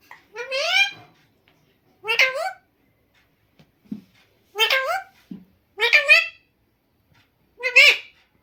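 A parrot talks in five short, shrill, speech-like phrases about a second long and spaced roughly two seconds apart, with a couple of faint clicks between them.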